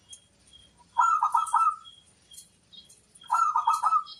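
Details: Local zebra dove singing, used as a lure to draw replies from other doves: two bursts of rapid bubbling coos around one second apart, with faint high chirps from other birds behind.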